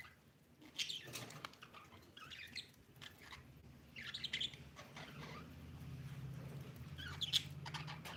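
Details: Budgerigar chirping at home: scattered sharp chirps and brief warbled bursts every second or two over a steady low hum, with clicks and rustling between calls.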